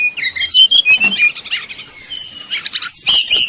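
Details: Brown-chested jungle flycatcher in 'nyuling' song, played to rile rival birds: fast, high chirps and whistled slurs tumbling together, with a short dip in loudness midway before loud notes resume.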